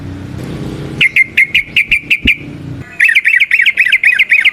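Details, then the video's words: Forest-recorded yellow-vented bulbul, lively 'ropel panjang' chatter meant to draw other bulbuls: low rumbling background, then a string of sharp clipped notes, a short pause, and a fast series of twisting chirps. "Trucukan GACOR ngalas ROPEL PANJANG suara alam AMPUH buat pancingan"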